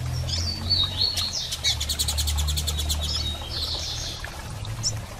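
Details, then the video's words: High, thin slurred calls from a female double-collared seedeater soliciting mating. A fast run of evenly spaced clicks, likely wing fluttering, sits mid-clip, with a low hum beneath. "Fêmea de Coleiro Piando e Fogosa e Pedindo Gala!!"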